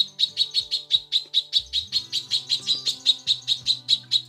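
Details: Female lesser green leafbird calling to a male, giving a long steady series of bright, sharp chips repeated evenly about four times a second. Soft low tones and faint background sounds beneath.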